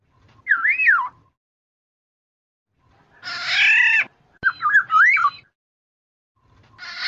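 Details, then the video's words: Black-naped oriole lure sound for trapping: a looping fluty whistle, then a harsh nasal drawn-out screech, followed by more short rolling whistles and another harsh call starting at the end. "suara pikat dan masteran burung kepodang emas"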